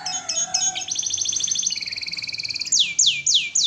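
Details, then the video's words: Canary singing in an Indonesian masteran-style gacor recording: rapid high trills that step through several pitches, a lower buzzy rattle, then four loud down-slurred whistles repeated about every quarter second. "Masteran asli kicauan burung kenari gacor full paling indah dan merdu"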